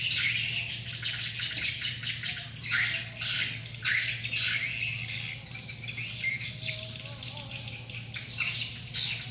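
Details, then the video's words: Swiftlet lure call: a dense flock-like chatter of harsh, squawky chirps packed closely together, rising and falling in loudness in bursts, over a steady low electrical hum. "Suara Panggil Walet"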